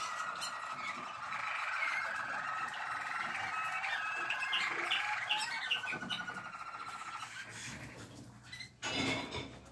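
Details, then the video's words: Malinois waterslager canary song recorded 12 December 2023: rapid rolling trills and watery bubbling notes, fading after about seven seconds, followed by a dull knock near the end. "Malinois waterslager"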